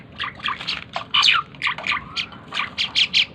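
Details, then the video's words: Asian pied starling, tame and in full song, giving a fast jumble of harsh, chattering squawks and slurred notes, with loud bursts spaced roughly every quarter second. "burung jalak keling gacor dor // burung cucak keling jinak gacor"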